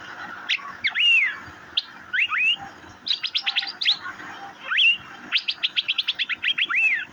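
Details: Asian fairy-bluebird (cucak biru) with long rising-then-falling whistles and fast strings of clipped high chirps, ending in a rapid rattling series of short notes.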